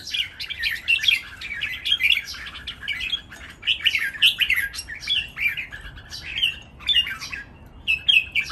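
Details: Lively 'ten rik-ble' style training song of caged red-whiskered bulbuls, three birds competing. Busy runs of sweet chirps and warbled whistles in tight phrases, one brief lull near the middle, then renewed bright phrasing. No other notable sounds.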